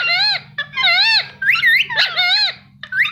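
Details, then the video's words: Pet Indian ringneck parakeet chirping indoors in a small room: strings of squeaky, wavering harmonic calls that bend up and down, given in short bursts with brief gaps, over a faint steady low hum. "Parrot Chirping Sound"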